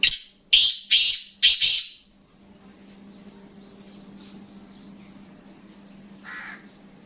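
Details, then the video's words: Black francolin uttering a quick series of four loud grating notes in under two seconds, followed by quiet with a faint hum and one softer distant rasp near the end. "Kala Teetar ki Awaz"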